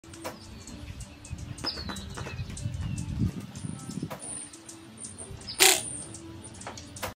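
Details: Greater roadrunner on a patio in north county San Diego, 20 miles from the coast, giving sharp, dry beak clacks at an uneven pace, about half a dozen over several seconds, with a low background rumble and a faint high chirp.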